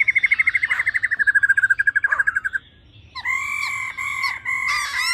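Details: Female laughingthrush in 'ro ro' song, meant to rouse males fast: a rapid string of about thirty pulses gliding gently downward, a short pause, then sustained buzzing tones in broken bursts.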